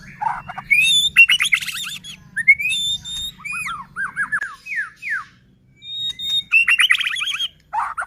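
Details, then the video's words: White-rumped shama, locally murai batu, singing to provoke rival shamas into song: clear whistles, falling slurred notes in quick runs and rapid high trills, separated by brief silences, with a faint low hum in the first half. "Murai batu gacor AMPUH buat PANCINGAN murai batu agar bunyi JADIKAN burung murai EMOSI"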